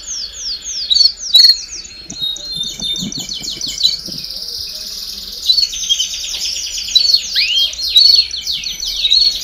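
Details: Group of domestic canaries in full song, played to spur young birds to sing faster. Rolling high trills and chattering notes flow almost unbroken, with rising whistled slides near the end and faint low rustling midway.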